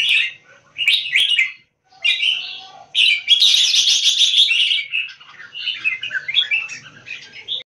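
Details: Competition red-whiskered bulbul giving open tail keke with a peacock tail display: short chirpy whistled phrases that run into a longer, rich warbling stretch, then quicker scattered notes trailing off.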